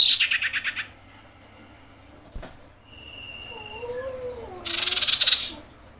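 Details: Female common iora in breeding condition calling for males: rasping pulsed chatter opening and closing the recording, separated by a thin level whistle and low wavering whistled notes.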